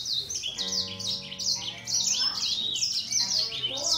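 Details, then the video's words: Grey singer finch competing in song with a green singer, fast repeated high sweeps and chirps over a held lower harmonic note, the two birds singing continuously. "Gery singer finch VS Green singer singing fight 灰燕和金青斗唱"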